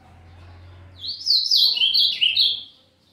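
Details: A brown juvenile Azulão just beginning its song gives a short burst of bright, tumbling warbles, high-pitched and jumpy, lasting about two seconds after a low-humming lead-in.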